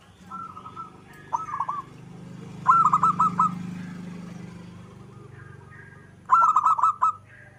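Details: Zebra dove of a local strain giving widely spaced short phrases of quick, rolling coos, each about half a second long, over a low rumbling background.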